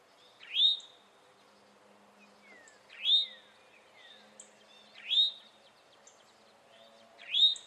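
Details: Repeated alarm notes of a male Eastern towhee, four sharply rising slurred calls spaced about two seconds apart, with faint descending whistles from other birds between them.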